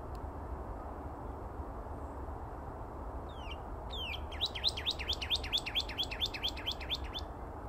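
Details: A lone northern cardinal sings near Bullfrog Pond, Reach 11 Recreation Area, North Phoenix, February 9th 2024: downward slurs followed by a brisk, regular series of around fifteen bright repeated whistled notes over low background noise.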